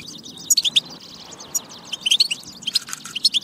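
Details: Batba from a European goldfinch, aimed at getting goldfinches to sing; short groups of bright chirps and twitters separated by brief softer stretches.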